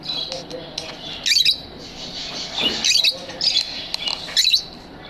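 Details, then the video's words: Pet lovebirds chirping in an aviary: short bright bursts of squeaky, high-pitched chirps about once a second, with quieter twittering between them. "Lovebird Singing & Chirping Sounds"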